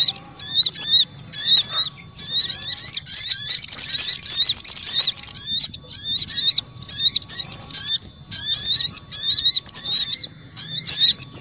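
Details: Noisy crimson sunbird calling, played as a lure for wild birds. Rapid high-pitched chittering bursts of squeaky, zigzag notes follow one another closely, with a longer rattling, buzzy trill in the middle and faint low background hum.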